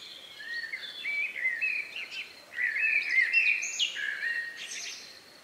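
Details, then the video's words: Birds singing in the countryside a few minutes before nightfall, around 9 p.m. on May 2, 2020, recorded outdoors: several overlapping twittering and warbled phrases, mid-high and fairly soft, over a faint steady background hiss. "relax sound of bird in the evening"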